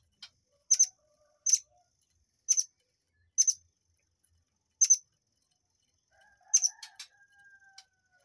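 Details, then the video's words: Murai air, recorded as a training recording for white-rumped shamas, giving short, sharp double-note chips at roughly one-second intervals, then a softer low whistle and a cluster of fainter ticks. "TEMBAKAN BURUNG AIR MANCUR / MURAI AIR"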